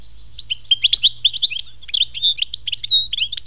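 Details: European goldfinch song: a continuous, lively twittering of high chirps and short whistles, varied and rapid, with a few higher tinkling notes mixed in and a soft background hum.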